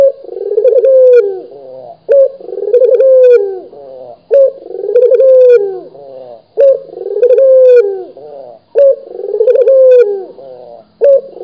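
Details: Local puter dove from Indonesia cooing persistently: five or six evenly spaced rolling coos, each starting abruptly, trembling through a rapid pulsed flutter, then drooping at the end, about one every two seconds.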